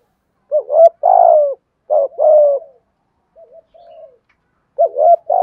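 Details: Low mellow coos of a spotted dove used to stimulate other doves: two short rising notes then a long falling coo, repeated twice, with soft trailing notes between phrases and a new phrase starting at the end.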